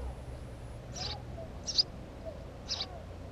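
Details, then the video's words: Three thin, high chirps from a house sparrow at a nest site, spaced roughly a second apart, with soft background noise. "Воробей домовый"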